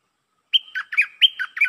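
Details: Red-whiskered bulbul with two matching three-note phrases, each a held fluty note sliding into a lower warble and a bright upturn, delivered rapidly back to back in a quiet setting.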